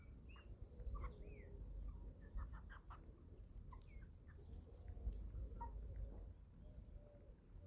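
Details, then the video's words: Eleven-week-old chickens at feeding time on a small family farm in Germany: scattered short peeps and soft clucks, some rising and falling, over a steady low rumble of background noise. "11 Week Old Chicks Feeding Time – 28 Minutes of Relaxing Farm Sounds"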